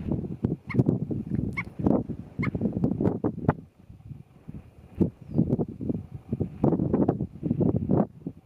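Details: White-tailed ptarmigan giving low, gruff, croaking clucks in irregular bursts, with a short lull around the middle before another run of rough, guttural notes.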